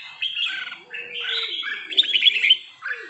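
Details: Red-whiskered bulbul of the Trà My type, three seasons old, singing a lively run of bubbly, warbled phrases. Notes rise and fall, and short pauses fall just before the one-second mark and near the end.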